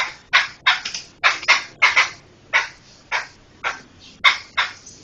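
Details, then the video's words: Laughingthrush song recorded as a tutor track for training other songbirds: harsh, broadband scratchy notes given singly and in quick pairs, about ten bursts in five seconds at an uneven pace, over a quiet background. "Ocehan Burung Poksay"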